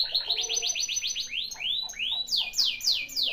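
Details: A canary lure song meant to prompt a lazy canary to sing: a fast series of repeated rising notes, then broad upward sweeps and high descending slurs, loud and continuous.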